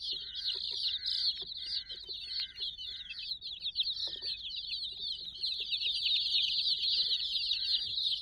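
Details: Dense, bright peeping from a crowd of about sixty fluffy chicks around a teddy, with short buzzy notes repeated roughly twice a second in the background.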